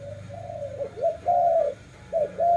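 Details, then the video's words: Dove giving smooth, low coos, some drawn out and level, others short and paired, with a low hum underneath. "Lovely dove/ lovey sounds"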